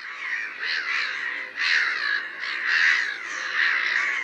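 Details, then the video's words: Black-headed Gulls (Chroicocephalus ridibundus) give harsh, grating screeches, several birds overlapping in a near-continuous chorus of rasping calls about once a second. "Black-headed Gull (Chroicocephalus ridibundus) Guincho"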